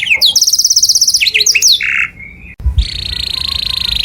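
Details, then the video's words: Canary song played loudly as a model for other birds to imitate: fast trills of high whistled notes, a buzzy lower phrase, then a long steady rapid trill repeated about four times per second. "O SOM DO CANÁRIO SOM ALTO DE OUTRO PÁSSARO PARA IMITAR"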